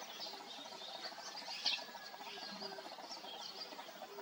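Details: Young Eurasian tree sparrows, fledglings just a few days out of the nest and begging for food, in Yeoncheon in May, keep up a busy, overlapping chatter of high, thin chirps, with one sharper cheep standing out briefly.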